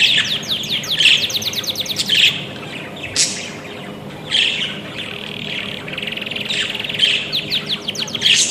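Budgerigars chatter in quick, high chirps and warbling trills, with bursts of sharp rising notes.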